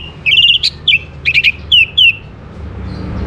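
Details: Song of an orange-headed thrush, meant as a lure to get other birds singing: a short string of sweet, slurred whistled notes, some trilled, given in quick succession before fading.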